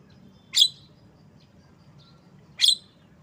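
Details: A Javan myna gives a pair of harsh, hissing notes with a clear whistled tone inside, about two seconds apart, in otherwise quiet surroundings.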